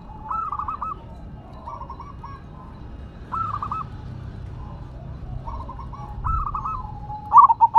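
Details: Silver zebra dove singing while set on the ground: a series of short rolling coo phrases spaced a second or two apart, ending with a sharper clipped burst, low rumble in the background.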